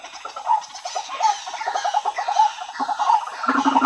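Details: White-breasted waterhen lure calls used to draw waterhens together: dense, harsh, croaking notes repeated rapidly in overlapping series, with a lower throaty tone entering near the end.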